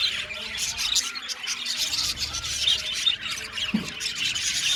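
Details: Budgie colony in an aviary singing: thick, high chattering chorus of warbles and short tweets, a soft low thump midway, otherwise unbroken bird noise.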